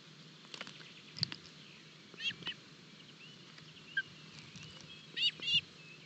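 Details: Early-morning feeding of Osprey chicks at a nest in Barlinek forest, 25 June 2022, from a live nest camera: scattered thin, high squeaky notes, with a short paired burst of louder chirps near the end, over faint hum.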